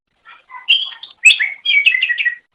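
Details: Greater green leafbird song from a tutor recording used to train pet songbirds: short bursts of varied whistled and chattering notes, some rising and falling, in three phrases within two seconds.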